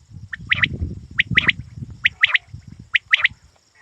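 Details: Quail used for hunting: rapid high triple notes repeated several times over a continuous low rumbling background.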